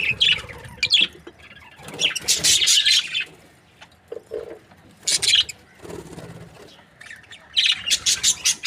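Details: Budgerigars, Australian parrots kept as breeding pairs, giving bursts of bright, scratchy chirps and warbles high in pitch, clustered in groups separated by quieter gaps, with faint low murmurs between.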